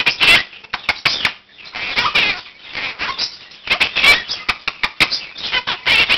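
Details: Morning wake-up chatter at 7 am from a year-old Quaker parakeet practising learned phrases indoors, joined by other caged birds; loud raspy squawks and sharp ticks in rapid bursts, with one brief pause.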